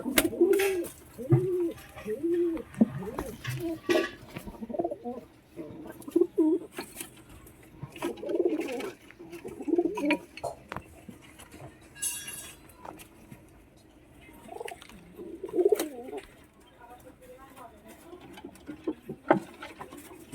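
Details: Pigeons fighting, two ganging up on one, give low, throaty coos and grunting bursts, with wing flaps and scuffling between calls.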